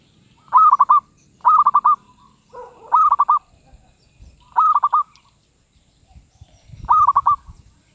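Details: Medium-pitched cooing of a zebra dove, five clear rolling phrases of rapid staccato notes repeated roughly every one to two seconds, with a soft lower note and faint low rumble between them.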